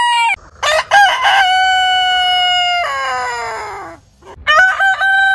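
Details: Heritage-breed rooster crowing: a long, clear crow with a brief rising start, held level and then sliding gently down, followed after a pause by the start of another crow.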